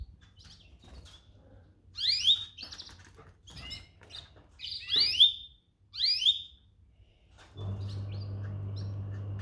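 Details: Domestic canary giving sharp, falling chirps about once a second in the middle of the recording. A steady low hum and broadband noise take over near the end.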